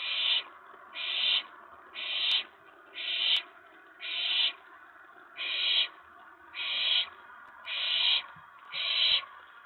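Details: Owlet calling at night, 19 May 2017, excited by an owl arriving on the tray after a mouse delivery; nine short, harsh hissing bursts at an even pace of about one per second, over a low background hum.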